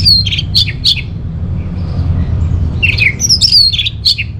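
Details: Song of an Orange-headed thrush, used to lure and tutor caged birds, North Bali: sharp descending whistles and short buzzy notes at the start, a pause, then a lively cluster of slurred whistled phrases, over steady low background hum.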